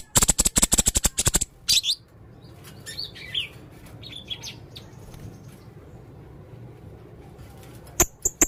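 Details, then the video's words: Male blue-crowned hanging parrot in full song with many strange sounds: a rapid burst of sharp, very high piercing notes for about a second and a half, then quiet, then two more shrill notes near the end. "burung serindit jantan gacor banyak suara aneh"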